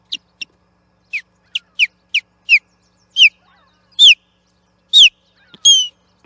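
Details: Osprey at the Charlo nest platform, 8 June 2021, fighting an intruding osprey over the nest: loud, clear whistled notes that slide downward, first in quick pairs, then spaced about once a second and growing louder.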